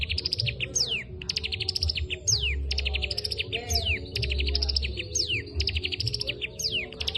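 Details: A cigun, trained on kapas tembak song, pours out rapid high ticking phrases, each closing with a falling whistled sweep, about every second, steady and loud over low-pitched hum.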